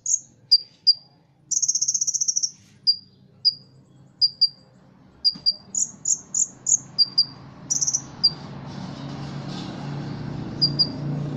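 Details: A Ruby-cheeked sunbird kept for singing contests, from Cililin, delivers a cricket-style buzzy trill, then spaced piercing high chips and clear rising whistles, with low background rumble growing toward the end.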